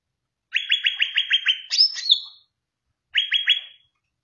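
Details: Greater green leafbird song used to train other cage birds: a fast, even trill of clipped repeated notes, then a bright rising whistle, a short silence and a second brief trill.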